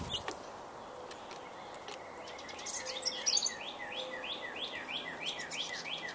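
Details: Woodpecker in spring in Indiana giving a long run of sharp, down-slurred notes, roughly three or four per second and growing steadier toward the end, over a hiss of background noise with scattered chirps from other birds.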